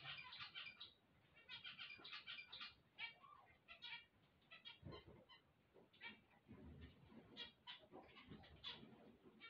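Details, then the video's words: Zebra finches singing on waking. Quieter bursts of nasal, buzzy chatter are broken by short pauses, with low thuds and background noise underneath. "chant des mandarins"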